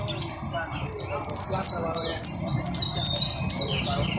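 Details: Canary trill of high, fast repeated notes falling in pitch, grouped in clear rolling phrases, light background murmur.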